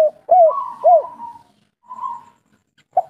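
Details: Short snatch of kuk 3 cooing from a local spotted dove: two mellow arched notes merge into a longer level coo, followed by a softer drawn note and one brief final note.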